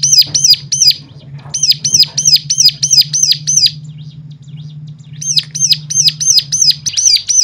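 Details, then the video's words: Song used as a trigger to make other birds sing: rapid bursts of shrill, downslurred whistled notes break off for several seconds, leaving only soft chirps and a steady low hum, then the rapid series resumes. "full suara rangsangan jadikan cigun lain mana tahan auto gacor seketika."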